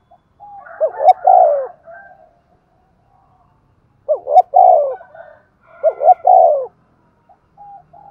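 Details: Spotted dove, a decoy bird singing in the Thúc Gù style, said to draw wild doves in quickly: three loud, throaty cooing phrases, each a rolling gù-gù burst, spaced about two seconds apart, with faint softer coos between.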